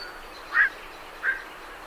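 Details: Night herons calling as they leave their roost: two short, harsh croaks about two-thirds of a second apart against a quiet, even background hiss.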